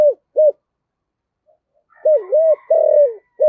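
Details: Decoy spotted dove with a thổ-style voice. Two short clipped coos, a pause, then a full phrase: a dipping two-part coo, a long buzzy drawn-out croo, and another coo starting. Faint higher chatter sits behind it.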